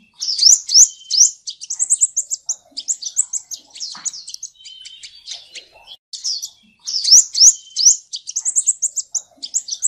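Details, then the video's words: Sunbird known locally as the seven-coloured sunbird, recorded without background noise: rapid, very high, thin twittering song of sharp chirps and short trills, delivered in dense bursts with brief pauses, about three phrases in ten seconds. "Tiếng chim hút mật 7 màu"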